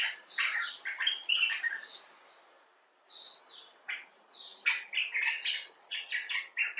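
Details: Common bulbul, rescued or filmed outdoors, in expressive talk of quick varied chirps and chattering notes, a short pause, then more upward and downward slurred chirps.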